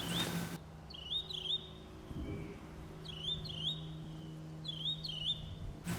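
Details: Northern mockingbird along Beargrass Creek, Kentucky, singing bright, squeaky phrases in short bursts about every two seconds, each repeated once or twice, over a low steady hum and faint talk.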